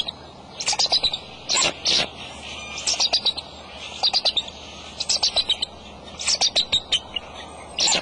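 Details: At a nest with eggs on March 23, 2:26 pm, the father bald eagle calls in a string of piercing, squeaky chitters, grouped into rapid bursts of several notes spaced about a second apart.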